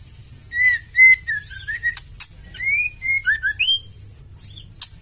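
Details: Female oriental magpie-robin fighter call, used to provoke males into singing; varied whistled notes, some rising, some falling, mixed with sharp clicks and quick chirps in a busy run of phrases.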